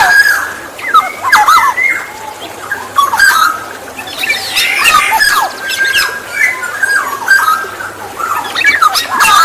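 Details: Lure recording of the Black-naped oriole (kepodang emas): almost unbroken fluty whistles, slurred up and down, overlapped by many sharp chirps and squeaks of other birds.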